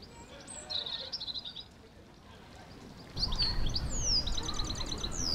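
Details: A European robin sings from an ornamental holly bush in a palace garden in Kensington Gardens, London, on a cold April day in 2016: high, thin, silvery phrases of quick trills and falling notes, over low city rumble and a narrating voice.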